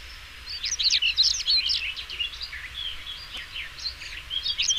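European stonechat giving a fast, scratchy, twittering song of short high notes and squeaky trills, delivered in quick bursts over faint low background noise.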